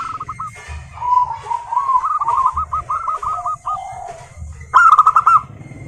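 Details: Local zebra doves call in runs of soft, rolling coo notes that rise slightly, with a louder burst near the end, over a low hum and background murmur; used to draw other zebra doves into song.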